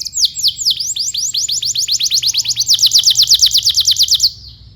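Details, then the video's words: Canary in full song, a recording meant to tutor young canaries: a long trill of bright downward-sweeping whistled notes, about six per second, steady and loud, then stopping abruptly. "PANCINGAN KENARI GACOR DURASI PANJANG UNTUK MASTERAN KENARI PAUD BELAJAR BUNYI DAN GACOR"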